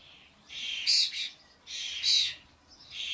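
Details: Common starlings, adults bringing their fledglings to a garden bird feeder with suet blocks amid a commotion of many birds; two loud, raspy, hissing bursts about a second apart, each with a brief shrill peak, then a softer third rasp.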